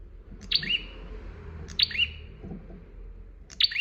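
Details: Bar-winged prinia singing for a master recording: three quick phrases roughly every 1.5 seconds, each a piercing high note collapsing into a buzzy, descending trill, with faint low background noise.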